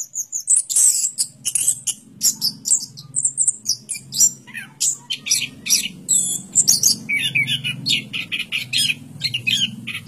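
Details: Orange-headed thrush giving bursts of high, sharp chirps and varied twittering phrases over a steady low mechanical hum throughout.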